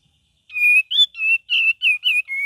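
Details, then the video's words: Cream-vented bulbul in lively, varied song: a run of clear whistled notes, each about a third of a second long, held level or slightly rising, given seven times in quick succession against a quiet background. "KAPAS TEMBAK VARIASI GACOR DAN NGERIWIK"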